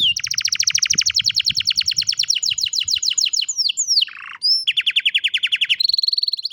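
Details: Phone recording of canary song: a long, very rapid rolling trill of tiny repeated notes, a few swooping slurs, a brief buzzy passage, then another fast trill at lower pitch.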